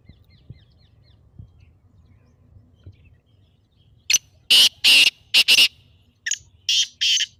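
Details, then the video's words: Black francolin in excited calling, used to make a pet partridge call. A low rumbling background gives way to a harsh phrase of four rasping notes, followed by three shorter scratchy notes. "تیتر کی مستی بھری آواز"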